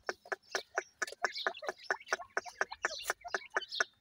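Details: Grey francolin chicks calling: a busy run of short, sharp, broadband chirps, about two each second, irregularly spaced and overlapping, with no other clear sounds.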